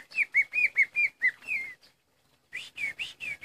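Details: Greater green leafbird kept in a cage, injured and missing a leg, singing on regardless: quick repeated whistled phrases about seven to a second, a longer slurred note, a short silence, then more bright whistles.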